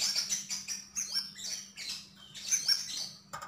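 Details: Javan grey-throated white-eye in full song, a fast jumble of high thin whistles, trills and chattering notes running almost continuously, with a faint electrical hum below.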